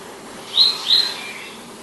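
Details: Palestine sunbird uttering two thin, high, slightly rising notes roughly a third of a second apart, clear above a soft hiss.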